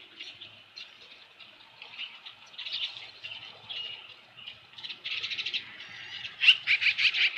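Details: Osprey nest at Dunrovin Ranch, evening of 15 July 2018, after a large headless fish delivery: thin, high chirping notes that grow louder and more insistent toward the end in quick clusters.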